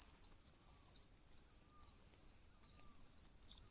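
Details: Hungry cuckoo chick crying loudly for food while the host's own chicks are already full. Very high, rapid trilled chirping in four bursts of about a second each, with short pauses between.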